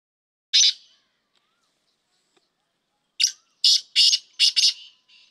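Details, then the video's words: Black francolin call recorded for training: one harsh, rasping note, a pause of over two seconds, then a quick phrase of five loud grating notes ending in a softer, fainter note. "3 Best Voice Black Teeter"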